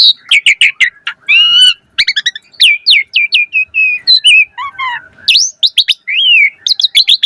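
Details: Asian pied starling in busy, varied song meant to trigger singing in starlings: dense chattering notes, short rising whistles and a lower buzzy phrase, delivered rapidly without long pauses.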